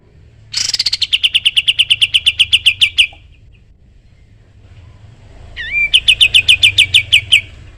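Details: Sooty-headed bulbul song in the 'tembak' (shooting) manner, used to tutor other songbirds: a long fast burst of repeated ringing chips, a pause, then a twisting whistle and a second rapid run of notes.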